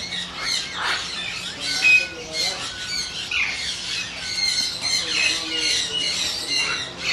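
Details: Yellow-crested cockatoo, a hand-tame pet, calling in rasping squawks of uneven length while human speech runs through most of the recording.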